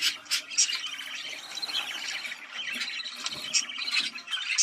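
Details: Budgerigar mating chatter used to encourage breeding, a busy stream of scratchy warbles and squeaky notes punctuated by brief bright high-pitched chirps, several birds calling together.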